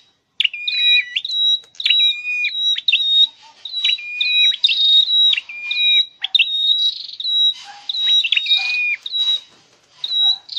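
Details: Scarlet-headed flowerpecker kept for song training, giving a busy, continuous run of high chirps and short whistles, with repeated thin notes at one pitch and occasional lower stepped whistles.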